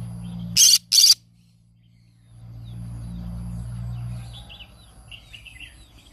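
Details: A green-cheeked conure, a pet bird that sings every morning, lets out two loud, grating screeches in quick succession. A steady low hum and faint, soft chirps from other birds follow.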